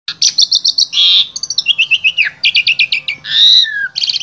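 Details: Asian pied starling from Wonosobo, Central Java, Indonesia, singing a full, varied repertoire used to tutor other starlings: rapid repeated high chips, a rich whistled warble, descending slurred notes and a run of clipped staccato notes.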